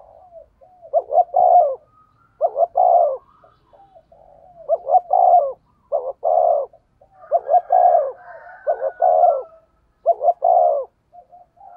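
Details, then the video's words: Decoy spotted dove in the 'thổ' voice, calling in the 'thúc gù' style: low, mellow, throaty coos in short paired and triple bursts, repeated about every second or two with softer murmured notes between, no other sounds. "cu gáy giọng thổ THÚC GÙ bài bản"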